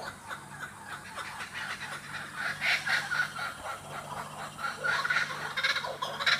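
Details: Laughing kookaburras in the Australian bush give loud, harsh, rapidly repeated cackling notes that swell and fall in bursts, with a low steady hum underneath.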